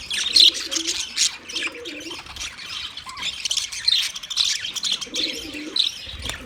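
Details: Budgies chirp and warble busily on 9 March 2024, a steady high chatter from many birds, with low cooing phrases repeating in the background.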